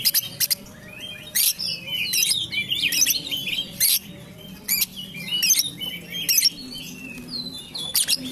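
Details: Caged female lovebird of the Tambak Peluru line, Comal, Pemalang, giving high twittering chatter broken by sharp clicking bursts about once a second, with a low background hum.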